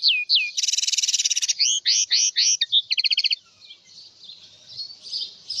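A house finch sings a bright, fast warble of slurred whistles, a buzzy trill and a quick rattled run, then falls quiet over faint background hiss.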